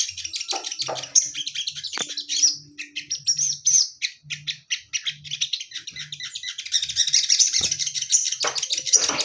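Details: Male orange-headed thrush, a caged bird with a female kept nearby, singing a dense run of sharp high chirps, trills and whistled phrases almost without pause, with faint low knocks in the background.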